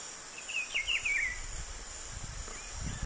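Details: A White-lined Tanager (Tachyphonus rufus) gives a quick run of five or six high, sharply inflected chirps within a second, then falls quiet over a steady insect hiss and low rumble.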